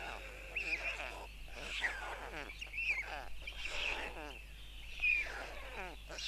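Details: At a white stork nest in Tukums, Latvia, on June 13, 2022, an adult male feeds four young. Rapid, wavering, buzzy harmonic notes come in short rhythmic bursts roughly every second over a constant low electrical hum.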